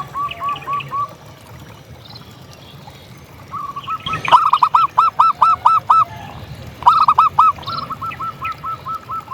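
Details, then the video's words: Local zebra dove singing to rouse other doves: repeated bursts of rapid, hollow cooing notes, soft at first, then loud runs of eight or so notes, pausing and restarting, with a faint low hum beneath. "Suara Perkutut Gacor"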